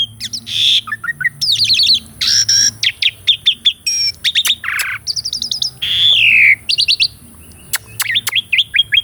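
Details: Asian pied starling kept in a cage, recorded for tutoring another starling, delivering a varied song of sharp whistles, rising and falling slurs, buzzy notes and short clicking bursts with brief pauses.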